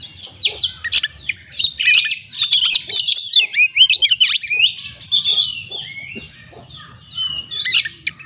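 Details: Kacer, the Oriental magpie-robin, singing a lure song meant to coax stressed birds into full song; fast jumble of whistled slurs, clicks and buzzy trills, loud at first then tapering to softer scattered phrases, with faint low hum beneath.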